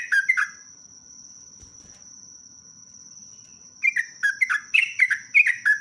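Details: Lively sooty-headed bulbul song with long rapid phrases: a brief burst of slurred whistles, a quiet gap, then a fast series of bubbly, downslurred notes about four per second, with a continuous high whine in the background.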